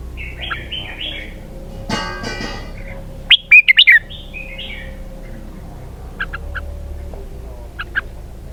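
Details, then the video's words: Red-whiskered bulbul singing a prized 'xoắn kép' (double-twist) style song: a loud burst of sharp, twisting whistled notes mid-clip, with softer chirps before and short high chips near the end over a steady low hum. "giọng hay cực xoắn kép"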